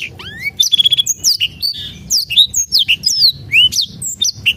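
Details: Lure recording of a black-throated canary to trigger singing in silent birds, opening with a rising whistle and rapid clicking trill, then varied bright slurred notes without pause.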